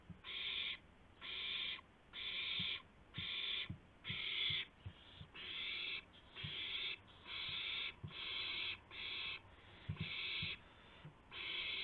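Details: Owl at 2:51 AM on 2 April 2016, arriving with a gopher. Harsh, raspy hissing bursts about half a second long repeat roughly once a second, some louder than others, with faint low knocks and thumps beneath.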